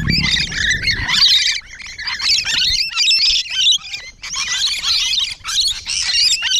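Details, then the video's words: Rainbow lorikeets close up on the morning of 12 June 2017, an almost unbroken chorus of piercing, raspy screeches from several birds. "Rainbow Lorikeet Close Encounters"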